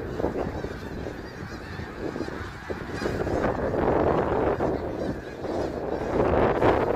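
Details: Large snow goose flock at Middle Creek Wildlife Area, March 3, 2022, calling nonstop; the honking chorus builds in loudness through the second half, individual yelps blurred into a roaring mass.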